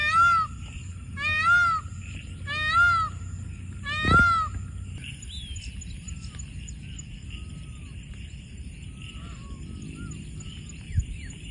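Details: Peacocks calling in the Konkan region as evening falls in the rainy season; four loud, wailing, nasal cries about 1.4 seconds apart, followed by quieter distant bird chirps and soft background noise.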